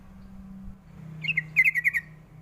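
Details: Lure call of a sooty-headed bulbul meant to make young birds reply: two quick bright notes followed by a fast burst of five sharp, slightly descending chirps, with a faint low hum underneath.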